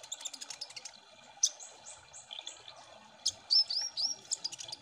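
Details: Kolibri Ninja sunbird ombyokan-style lure song: scattered high ticking chirps, a few drawn-out faint whistles, then a lively burst of slurred rising whistled notes.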